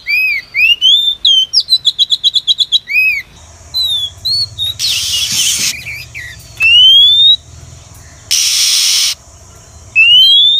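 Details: Oriental magpie-robin female lure call for trapping wild birds. It opens with a quick run of rapidly repeated short notes, then rising whistled slurs spaced apart, broken by two loud bursts of rustling noise.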